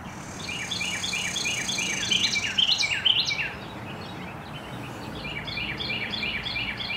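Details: A very vocal male Carolina wren sings in the late afternoon: loud, rolling series of quick repeated phrases, each run of rapid notes like a ringing 'tea-kettle', over faint insect buzz and a low hum.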